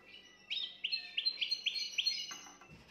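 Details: Canary singing to excite a female: five or six clear upswept notes delivered evenly, about three per second, over a faint background hum, ending with a soft rustle.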